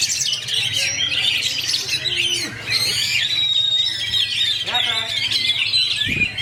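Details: Oriental magpie-robin kept as a fighter bird, singing a fast, tightly packed rolling song: dense run of varied whistles, trills and sweeping notes without a break, with a brief low thud near the end.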